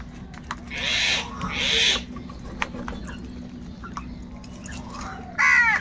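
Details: Crows fighting with angry wild birds for food give two loud, rasping caws back to back, a pause with faint clicks and chirps, then one more harsh caw at the end.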